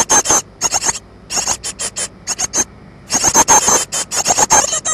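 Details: Begging cries of great tit chicks around two weeks old, 14 May 2011, calling for food all day: loud bursts of harsh, squealing notes in rapid runs, broken by short silences, then a long frantic stretch.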